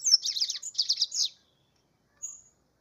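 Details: Double-collared seedeater delivering a dense, warbling burst of rapid high notes for just over a second, then a pause and one thin drawn-out whistle.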